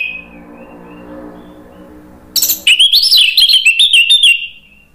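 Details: Orange-headed thrush singing in the 'ngeplong' style, meant to rouse another bird into replying: after a faint hum and a soft whistle, a loud, fast run of jumbled, rising and falling whistled notes bursts in.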